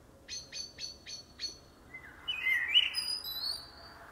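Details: Common blackbird song: five evenly spaced sharp clicks, then a low mellow whistled phrase rising into a warbled flourish and thin high squeaky trailing notes.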